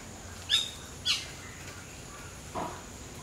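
Common myna giving three brief notes: two sharp, high whistled chirps half a second apart, then a lower, harsher note a second and a half later, over faint background hiss.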